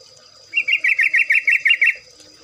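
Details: Song of the trucuk (yellow-vented bulbul): a steady string of about ten rippling, looped notes at an even fast pace, lasting roughly one and a half seconds.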